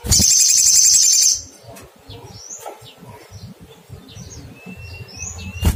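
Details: Little spiderhunter (sogok ontong) calling to find a rival: a loud, dense, high buzzy trill for over a second, then faint scattered high chirps over a low background hum.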